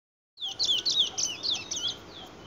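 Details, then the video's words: A chestnut-bellied seed finch (Trinidad bullfinch), a brown bird not yet in adult plumage, sings a quick, unbroken run of high, sweet warbled and slurred notes lasting about two seconds. "Trini bullfinch"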